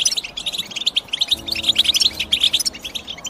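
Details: European goldfinch chirping: a dense run of quick, bright twittering notes that tumble over one another without pause, with a faint low steady hum beneath.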